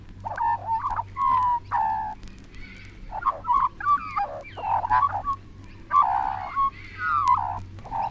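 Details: Currawongs recorded in Australia, from a 1968 vinyl record, give loud, ringing, fluty calls with gurgling notes in irregular overlapping bursts about every second, over a steady low hum.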